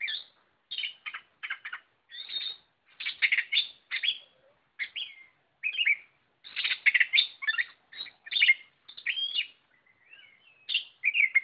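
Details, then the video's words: Oriental magpie-robin in full gacor song, a long string of rapid chattering bursts, clear whistles and slurred rising notes delivered almost nonstop, with only short pauses between phrases. "Burung kacer Lot Full Gacor"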